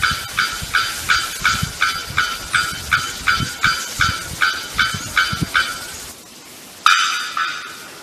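Bearded bellbird hammering out loud, metallic, clanging notes, nearly three a second for six seconds, then a short pause and one longer ringing note.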